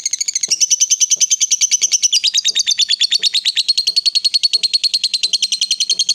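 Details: Female fighter lovebird used to provoke rivals, delivering long chatter (ngekek): a fast, steady stream of shrill rasping notes, over three per second, the pitch dipping slightly midway, with faint low clicks beneath.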